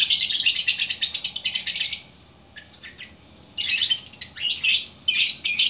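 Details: Lovebird in Bukittinggi, West Sumatra, singing gacor orkestra style: a fast, buzzy stream of high chatter, then a quiet stretch with a few thin chirps, then renewed scratchy bursts.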